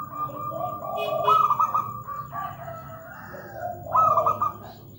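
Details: Perkutut, the zebra dove, delivering overlapping purring coos with rolling stuttered notes and low hums, somewhat blurred by background murmur.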